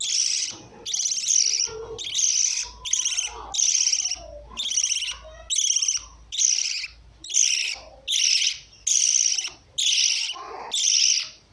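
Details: Lovebirds giving harsh, shrill screeching calls about once a second in a steady run of a dozen bursts, with softer chatter underneath.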